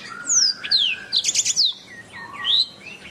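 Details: Canary master song for training birds: high descending whistled slides, a short fast trill in the middle, then softer rising whistles, all clear and prominent.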